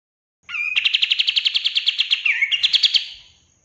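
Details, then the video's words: Kapas tembak bulbul master song for caged birds: a long, fast rolling trill of around twenty-five repeated bright notes, broken near the end by a brief twisting slur before a last quick run. "SUARA BURUNG KAPAS TEMBAK LANGSUNG RESPON DAN GACOR dengan MASTERAN KAPAS TEMBAK GACOR!"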